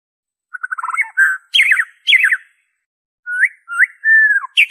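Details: White-rumped shama song, pure with no mimicked notes, played to prompt captive birds and lure wild ones to sing: a fast stuttering trill, then varied rich whistles, some rising, some falling, with short pauses between phrases.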